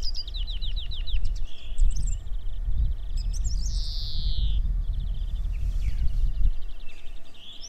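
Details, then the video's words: European greenfinch singing in the coastal region of the Netherlands: quick twittering trills, then a long, buzzy, drawn-out wheeze, followed by more rapid twitters, over heavy, constant wind rumble. "Greenfinch Singing"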